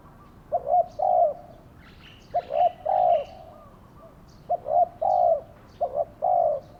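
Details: Spotted dove kept as a decoy for luring wild doves gives low hollow coos, each phrase a pair of clipped notes followed by a long falling coo, repeated three to four times with short pauses.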